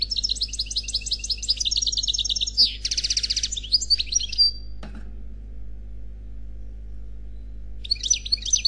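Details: Unmated male European goldfinch singing the khalwi style: long, rapid rolling twitters and a buzzy rattle for over four seconds, a quiet stretch, then a final burst of high chirping notes.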